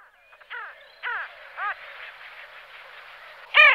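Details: Pin-tailed sandgrouse giving a few nasal, arched, harmonic calls spaced about half a second apart, then a pause of low murmuring before a louder final call.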